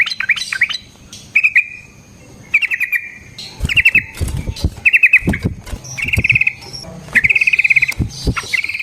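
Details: Sooty-headed bulbul in energetic song, used as a lure to make other bulbuls respond: short bursts of rapidly repeated clear chirps, then pauses, with scattered low thumps and knocks between phrases.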